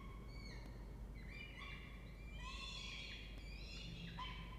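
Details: Peregrine falcon family with two nestlings using a nest box in a university water tower in Orange, New South Wales, Australia, 2 November 2024 at 08:07; overlapping harsh, harmonic wailing calls, densest in the middle, with a low droning hum beneath.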